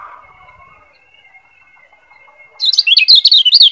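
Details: A yellow white-eye (Lombok kecial kuning, Zosterops) bursts into rapid, high, twittering chirps, a quick run of bright notes, after a quiet start with a faint steady whine.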